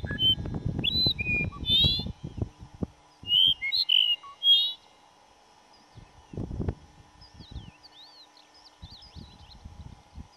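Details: Dupont's lark recorded at Duraton Gorge in May 2005: short whistled notes, some sliding and some steady, in two bursts in the first half, then faint thin notes. Low rustling or handling noise throughout.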